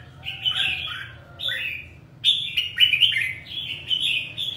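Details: Fired-up ('căng lửa') red-whiskered bulbul of the 'ché' type, singing two phrases of clear, downslurred whistles, then a louder, lively run of bright notes after a brief pause.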